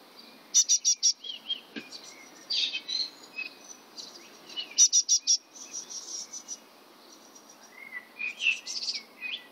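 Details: Great tit (Parus major) in Bratislava on 22 May 2013, giving short bursts of three to five sharp, high ticking notes every few seconds, with softer chirps and whistles from other birds between.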